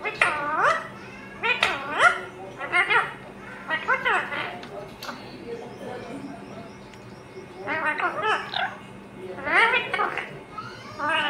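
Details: Pet ringneck parrot talking, saying "mummy papa" indoors: a run of raspy, harmonic, speech-like syllables with rising and falling pitch, in bursts separated by short quiet gaps and a steady low hum.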